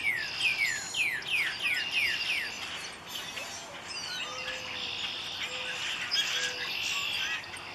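A Northern cardinal sings a quick run of about eight clear, downslurred whistles in under three seconds. Other birds chirp faintly and insects buzz steadily behind.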